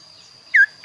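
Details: Kaso-kaso bird in full song, voice called unique and varied. Two loud, clear whistled notes, each sliding slightly downward, the second cut short, with a constant thin high tone behind.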